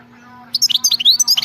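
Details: European goldfinch singing in the khalawi (wild-type) style: after half a second of quiet, a rapid run of high, liquid twitters and chirping notes with no pauses, over a faint low hum.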